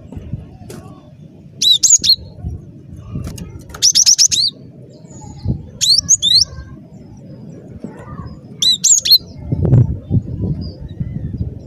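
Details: Cinereous tit singing actively, recorded for use as a lure in bird trapping: short bright whistled phrases of two or three rapidly repeated notes, given in bursts separated by pauses, over a low steady background rumble.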